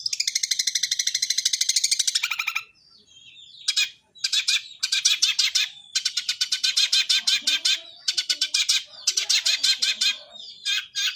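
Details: Long-tailed shrike singing in fighting mode with sparrow-like sounds: long bursts of rapid harsh chattering, separated by brief pauses and a few thin whistles. The background is otherwise quiet.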